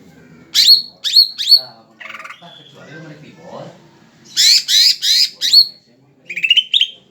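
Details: Greater green leafbird, a tame kept bird, in lively song: three sharp downslurred whistled notes, then a low chattering stretch, a loud buzzy series of four notes and a rising warble, with faint voices behind.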